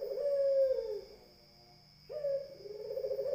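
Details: A low, smooth coo from a Barbary dove tapers off, then after about a second of quiet a fresh phrase begins with an abrupt rising note and a rolling hum. A faint constant whine is present.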